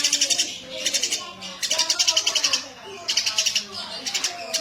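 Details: Busy Eurasian tree sparrow chirping in fast, high, ticking trains, three main runs about a second long with short pauses between them, faint lower sounds underneath.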